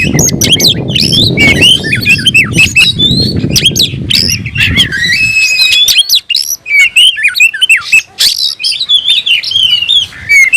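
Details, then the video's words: Excited oriental magpie-robin, tail fanned, calling a rival to battle: fast jumble of whistles, harsh notes and slurs over a low rustling noise that fades after about five seconds, leaving clearer, spaced phrases. "kicau burung KACER‼️gacor buka ekor dongkrak emosi panggil lawan tarung"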